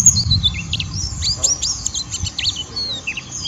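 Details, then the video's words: Rough ngeriwik song of a white-eye, used to stimulate rival or home birds to sing; rapid high chirps and downslurred whistles tumbling together, over steady low background noise. "Pleci Ngeriwik Merangsang Lawan"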